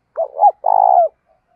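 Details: Captive spotted dove call used for training doves: a wavering two-part coo followed by a long, rapidly pulsed rolling coo that falls at the end.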